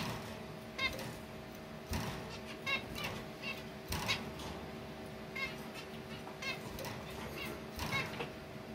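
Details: Zebra finches in a cage where a newly added female has been bullying another bird and attacking chicks give short nasal, honking beeps, about seven in nine seconds at an uneven pace, over a steady low electrical hum.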